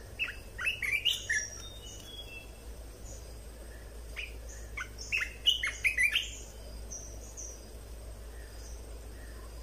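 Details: Caged red-whiskered bulbul song, played to train young birds and to rouse other birds: bright bursts of short whistled, slurred notes early on and again in a dense run midway, over a steady low hum and faint high insect whine.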